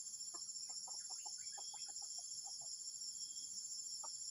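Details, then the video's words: Junglefowl giving a strange, disruptive call: a run of short, sharp clucking notes, some rising, spaced irregularly and fading toward the end, over a steady high insect drone. "AYAM HUTAN SUARA ANEH PENGGANGGU"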